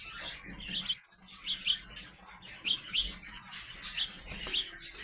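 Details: Growing young house sparrows chirp: bright, short, high chirps about once a second, some overlapping as if from several birds, over a faint low hum.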